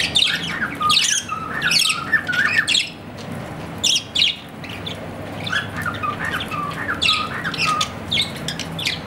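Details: Australian parrot kept as a pet, a budgerigar, warbling in quick bursts of raspy chirps mixed with clear, low whistled notes, pausing briefly before resuming its chatter.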